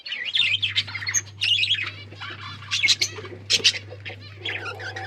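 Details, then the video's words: Kept budgerigars chattering continuously, rapid wavering chirps and squawky notes rising and falling, several birds overlapping, with a constant low electrical hum beneath. "Budgies bird talking sounds | Birds chirping sounds"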